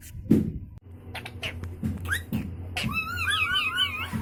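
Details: Pet Indian ringneck parakeet indoors in front of a mirror and phone: short squawks early on, then a wavering, warbling whistle from about 2.8 seconds, with music and a low hum underneath.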